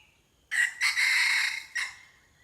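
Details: Close, loud red junglefowl crow in three parts: clipped opening, strained sustained middle, then a short final note, with a faint steady whistle in the background.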